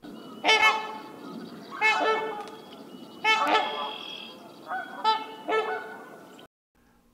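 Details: A Trumpeter Swan gives its loud bugling call, which can carry up to two miles: brassy, horn-like honks, about five notes spaced a second or so apart, with a softer background murmur.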